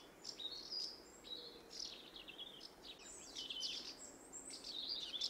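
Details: Several house martins flying around the nest site in the UK, keeping up a busy chatter of twittering, rippling chirrups that overlap almost continuously, against a light background hiss.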